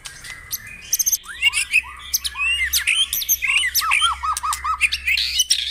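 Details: Morning dew-airing song of the white-rumped shama, used to stir caged birds to sing: varied whistled phrases with sharp upward and downward sweeps, a series of quick looping notes, and dense high chatter.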